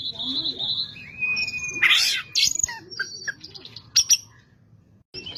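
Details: Lively Kacer (Oriental magpie-robin) song meant to provoke other magpie-robins: a sustained high whistle and a lower flat note, then a harsh noisy burst and a run of sharp chirps and clicks, ending with a brief gap and renewed whistling.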